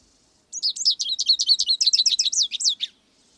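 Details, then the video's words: American goldfinch singing a fast run of high, twittering notes that sweep and rise, about fifteen syllables packed into two and a half seconds, clean and loud against a quiet background. "American gold finch"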